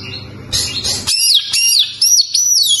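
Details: Oriental magpie-robin (kacer) song: after a brief scratchy burst, a series of clear, loud whistled phrases, each swooping down from very high then rising again, delivered in quick succession.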